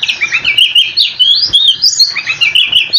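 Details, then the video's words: Rapid rolling oriental magpie-robin song used to draw replies from other magpie-robins; a nonstop stream of high, bright chirps, sweeps and trills without pause. "Kicau Kacer super ngerolllll abis dijamin kacermu langsung nyaut"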